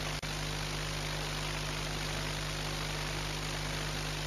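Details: A loud, constant mechanical drone like an aircraft or engine fills the recording, with one sharp click near the start and no animal sounds.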